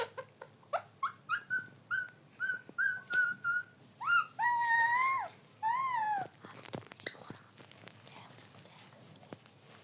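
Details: Talking parrot in a small room gives a quick series of short whistled notes, about three a second, then several longer wavering whistles with rich overtones, ending in soft clicks and quiet room noise.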